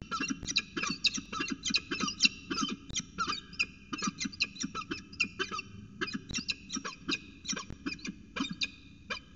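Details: Peregrine falcons at a nest with eggs, Orange CSU, New South Wales, 5 September 2020: rapid series of harsh, grating, squealing notes, several per second, repeated steadily almost without pause, with a faint low background rumble.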